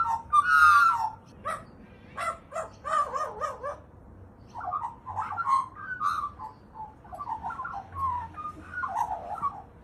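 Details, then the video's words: Crow mimicking a dog: rapid series of short, harsh, bark-like notes, then a run of wavering yelping phrases, close and clear over a faint low background hum. "Crow saying Dog voice"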